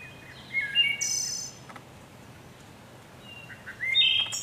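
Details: Wood thrush singing two phrases: gentle wavering whistles each capped by a high, bright, buzzy trill. There is a quiet pause of about two seconds between them.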